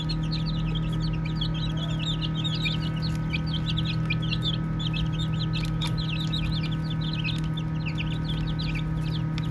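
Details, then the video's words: Many baby chicks at play give soft, rapid high peeps in a constant chattering stream, each note short and falling, with an unbroken low droning hum beneath. "Baby Chicks Chirping Sounds"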